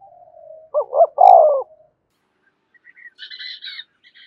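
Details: Decoy spotted dove cooing to stir a caged male into calling: one phrase of two short looping notes and a long falling coo, followed by faint, higher chirping from another bird.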